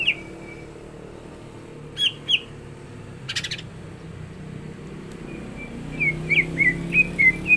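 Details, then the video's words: Caged greater green leafbird (cucak ijo) in full song, being readied for a contest: short slurred whistles and a few sharp clicks, then a fast run of downslurred whistled notes near the end. "CUCAK IJO GACOR ISIAN"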